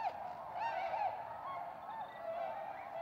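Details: Flock of tundra swans returning in spring to Goose Pond, Columbia County, Wisconsin, USA, March 2016; soft, mellow honking calls blend into a steady murmuring chorus, with a few clearer wavering notes standing out.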